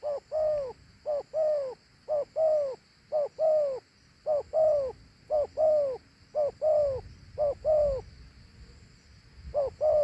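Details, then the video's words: Rapid series of two-note coos from a dove, each a quick short note and then a longer arched note. About nine pairs follow almost back to back, with a brief pause before the last. "Thổ Hú âm gù hay.gù 2 âm gù quá tốt"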